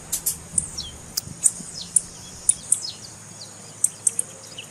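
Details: Female blue-black grassquit calling, a call used by breeders to warm up and stimulate males to sing: sharp, very high chips at irregular intervals, mixed with thin descending slurred notes, over a faint low hum.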